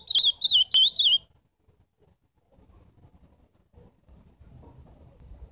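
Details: Ultramarine grosbeak heard live giving a short burst of loud, high, wavering whistled notes about a second long, then near silence with soft low rustles.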